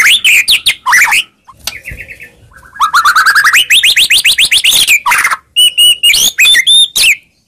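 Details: White-rumped shama song meant to provoke a reply, mixing quick rising whistled notes in fast runs with a few steady, higher pure-toned whistles.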